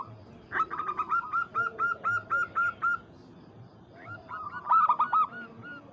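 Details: Local zebra dove calling a rival: a rapid run of about ten short, evenly spaced cooing notes on one mid pitch, a pause, then a shorter burst of similar clipped notes.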